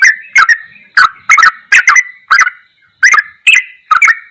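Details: Sooty-headed bulbul singing ropelan goklikan style for masteran use: clipped, chirpy whistled notes with harsh clicks, spaced irregularly with a short silent gap midway.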